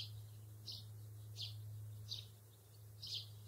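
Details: Sparrows, a pair in a grassy meadow: five short, high chirps spaced roughly every half to one second, fairly faint above a constant low droning hum.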